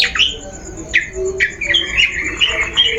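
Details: Long-tailed shrike lure recording: harsh squeaky notes and scratchy chatter in uneven bursts, fairly soft, with a faint steady ticking in the background.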